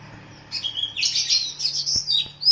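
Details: Captive-bird training song of an oriental magpie-robin (kacer), paired with a sooty-headed bulbul (kutilang): a short, dense burst of high warbling whistles and quick chirps after a brief quiet start, with a low background hum.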